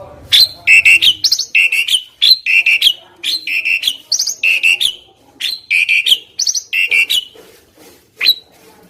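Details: Asian pied starling song used as a training tutor for songbirds: loud, rhythmic phrases of harsh, clipped notes with strong whistled bands, bursts repeated roughly every second with brief gaps, bright and metallic throughout.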